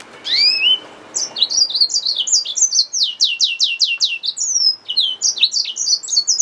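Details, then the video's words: Yellow-fronted canary mule, a hybrid finch, singing high rising whistles, then a fast run of short downward-sweeping notes mixed with bright slurred phrases, steady and unbroken. "SERINUS Mozambicus | سيرينوس موزمبيق | Yellowfronted canary mule | Hybrid Finch | Nature Bird sounds"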